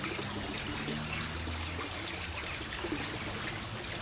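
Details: Steady trickling and splashing of running water fills the recording, with a low rumble beneath and no clear animal calls.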